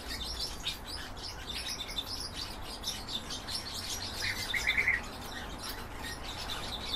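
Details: Goldfinch crossed with canary, giving a steady twitter of high chirps, then a louder, quick series of clear trilled notes near the end, over a faint low rumble.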